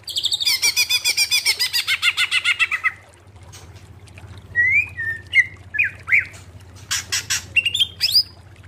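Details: Greater green leafbird, recorded for training cage birds to sing: a fast descending rattle of harsh notes for three seconds, a pause, then short sliding whistles and sharp chips; low background hum.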